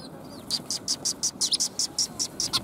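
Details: Sparrows coming for food on 20 March 2021 give a fast, evenly paced string of short, sharp high chirps, about five per second, against a quiet steady background.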